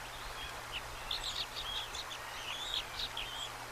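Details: Bald eagle eaglet just over a day old being fed bits of trout at the nest on March 25, 2024, with a second newly hatched sibling present: thin high chirping peeps in quick irregular bursts over steady background hum.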